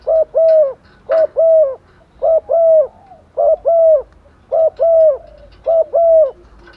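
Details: Female spotted dove used as a decoy, calling males in the rainy season with six rapid phrases roughly once a second, each a short double note then a longer falling coo, steady and insistent.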